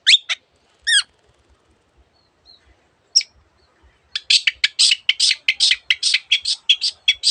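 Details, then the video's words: Lively Long-tailed shrike on a tutor track packed with borrowed birdsounds: a few isolated squeaky and trilled notes with long gaps, then from about four seconds a steady fast series of raspy, scratchy chattering notes. "cendet gacor masteran untuk burung yang susah bunyi banyak varian suara burung lainya"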